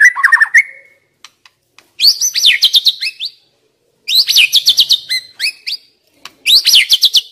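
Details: Lure recording of young wild white-rumped shama: a short low whistle, then three bursts of high, rapid, rattling chatter separated by near silence.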